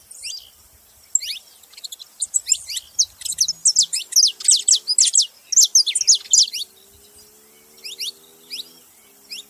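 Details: Saffron finches sing together, rising into a steady run of loud, sharp, steeply falling notes at roughly two per second before easing off, with a faint low hum behind them.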